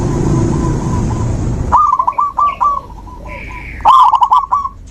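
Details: Zebra dove song for encouraging a dove that has gone quiet: a stuttering chain of mid-pitched coos, then a louder rapid burst, with higher thin chirps from another bird between them.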